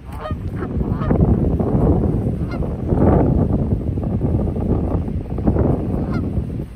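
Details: Geese fighting at a park: a few short, harsh honks with stacked overtones break through near the start, around three seconds and again near the end, over constant heavy wind rumble.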